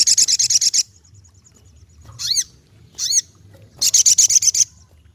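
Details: Lively ruby-cheeked sunbird: a rapid, buzzy trill of high chips, two downward-arching whistled notes, then another fast stuttering trill.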